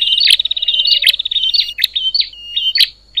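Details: Noisy bar-winged prinia calling, a sound that stirs up other prinias: fast buzzy rattling trills broken by sharp high clicks, then shorter chipping notes and a brief pause.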